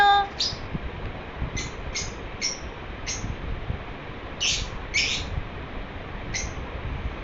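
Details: Pet lovebird chirping happily indoors; short bright chirps, some doubled, scattered irregularly over about seven seconds against a low steady room hum.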